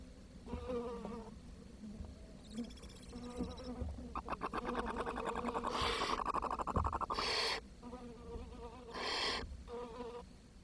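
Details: Barn owl chicks at the nest on 10 June 2023, when food ran short and the youngest died. A low rattling buzz builds up, then loud broad hisses break out near the end, each about half a second long.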